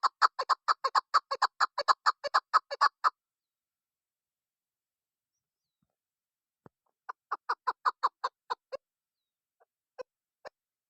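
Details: Female chukar partridge calling as a hunting lure: a quick series of about fifteen hoarse clucks over three seconds, a long silence, then a second shorter run of clucks and a few isolated notes.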